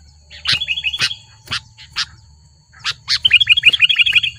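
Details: Sooty-headed bulbul in the wild in Lubuklinggau city, agitated and pressing a rival: scattered sharp clicks and short chirps, then a quick run of repeated bright notes, with a steady low hum throughout.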